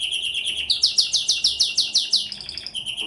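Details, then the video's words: A canary sings a quick chain of loud, evenly repeated sweeping notes, about a dozen in a row, framed by fast high trills. "pleasant canary singing"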